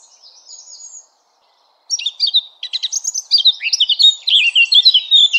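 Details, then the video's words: Eurasian blackcap song opening with soft, thin twitters, then a short silence, then an energetic burst of loud varied warbling, rapidly alternating high clear whistles and lower slurred notes, each phrase overlapping the next. "Blackcap Song"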